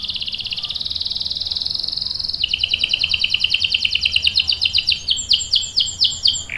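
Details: Canary, a female in breeding condition calling the male, sings a long rolling trill: a rapid buzzy high rattle that drops slightly in pitch midway, then breaks into loud repeated descending sweeps near the end.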